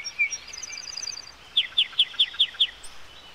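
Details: Yellowhammer with a faint rapid high chatter, then six loud, sharp, evenly spaced notes delivered about five per second against a soft hiss.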